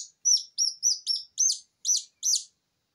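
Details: Wobbly, newly hatched Silkie Serama chick crying without a mother hen: seven loud shrill peeps, the first ones downward-slurred, the last ones harsher and more rasping, spaced roughly every third of a second.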